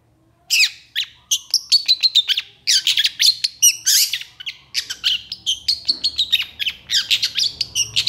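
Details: Long-tailed shrike (cendet, pentet) singing vigorously in the energetic 'gacor emosi' style: a dense, nonstop run of harsh scratchy chirps and buzzy notes, broken by drawn-out high whistled notes near the two- and six-second marks.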